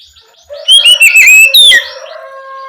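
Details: Oriental magpie-robin singing in the loud ngeplong style at night, used as a lure to stimulate young spotted magpie-robins to answer: one short burst of bright, warbled whistles and rapid sliding notes, then quiet.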